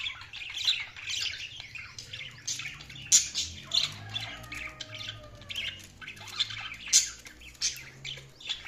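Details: Budgerigars chirping while they feed: continuous flock chatter of buzzy squawks punctuated by sharper, louder chirps every second or so, over a faint hum.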